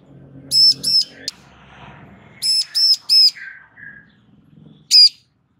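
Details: A female bar-winged prinia calls to draw a male into answering. She gives loud, clipped, high notes in pairs and a triplet, plus one single note near the end, over faint low rumbling.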